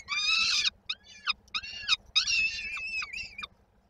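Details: Peregrine falcon chicks in Koszalin, Poland, on 19 May 2022, begging ahead of their mother's arrival with supper. A long harsh scream is followed by shorter curved squeals and a second dense burst, ending in a fading wail.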